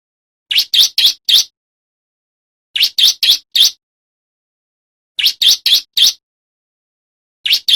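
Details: A singing male bar-winged prinia, recorded for training birds and attracting wild prinias: rapid four-note bursts of piercing high chirps, repeated roughly every two and a half seconds over a silent background.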